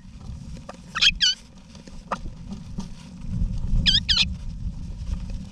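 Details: Inside an Australian backyard nesting box in November 2018, wild eastern rosella adults with their young give two double bursts of trilled, wavering chatter about three seconds apart, amid low rumbling and a few soft clicks.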